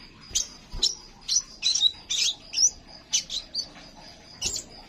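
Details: Crimson sunbird singing, a recording meant to lure or train other birds to sing; thin, high chirps repeated about twice per second, some slurred or buzzy, with a constant high whine running underneath.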